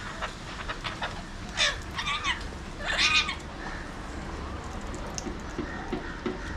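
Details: Wild Alexandrine parakeets, known locally as pahadi or mountain parrots, near a window in Mumbai, India, giving two loud, harsh, arching screeches about a second and a half apart, followed by softer chatter and a low background rumble.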